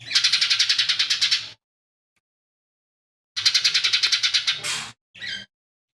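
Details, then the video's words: Lesser green leafbird, a tutor bird whose song carries fighting sparrow, buto kingfisher and cililin imitations; two fast trills of harsh repeated pulses separated by silence, the second ending in a buzzy note and a short chirp. "CUCAK IJO MINI GACOR"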